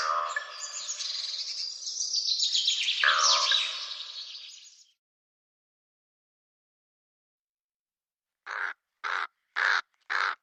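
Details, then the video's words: Black crow with four short, harsh caws evenly spaced near the end, after a long stretch of busy chirping and twittering from other birds followed by silence. "The sound of the Black Crow"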